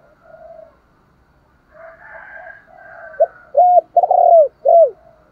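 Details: Spotted dove luring call: soft, low coos at first, then a loud phrase of a sharp note, an arched note, a long hoarse coo and a final falling note. A faint higher sound is heard midway.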